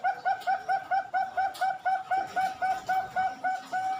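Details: Captive-bred Bangkok-line zebra doves in Pasuruan, East Java, Indonesia: an adult male and his two offspring, hatched 31 March 2022. A quiet, rapid run of about sixteen soft, even coo notes.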